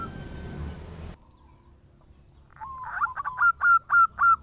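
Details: Local zebra dove with a big voice, singing actively as a lure to rouse other doves quickly, gives a rising run of short, hooked, bubbling coos after a brief stretch of noise and quiet.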